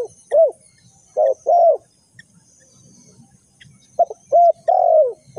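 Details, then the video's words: Decoy spotted dove for bird trapping: deep, soft coos grouped as a short note and longer arched notes, two phrases separated by a silent gap of about two seconds. "The Sound Of A Spotted Dove is very good"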